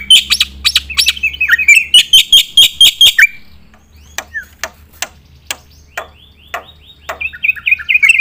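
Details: Black-winged myna, vigorous song used to train competition birds. Three seconds of loud quick chattering notes give way to scattered sharp clicks and a final burst of rising whistled chirps, over a faint hum.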